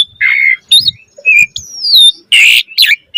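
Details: Asian pied starling giving harsh squawks and buzzy notes between thin whistles during gacor mompa chatter, with a long gliding whistle in the middle.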